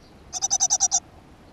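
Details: Great tit at a nest box in a school garden, recorded on 7 June 2015: a single short burst of seven harsh, buzzy pulses in quick, even succession, then quiet.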